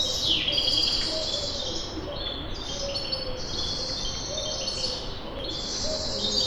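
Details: Birds tweeting in the morning in Kipseli, Athens, Greece, captured with a handheld Zoom H5: a dense, continuous wash of high twittering and trills, some downward sweeps, over constant low ambient noise.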